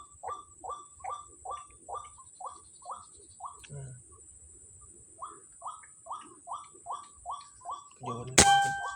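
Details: Sunday-morning white-breasted waterhen at Kepasar, one of many: a rhythmic string of short mid-pitched notes, stopping around four seconds, then resuming, ending with a loud sharp knock or bang over a constant high drone.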